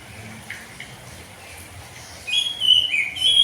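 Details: Oriental magpie-robin in the morning, singing ngeplong style; near silence with faint notes at first, then a loud burst of high, sweet whistled phrases in the final second and a half.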